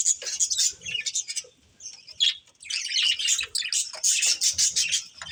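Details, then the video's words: Budgerigar breeding pair giving busy chattering chirps, harsh warbled squawks and short whistled notes in repeated bursts separated by brief quiet gaps. "Cute Budgies Chirping Sounds"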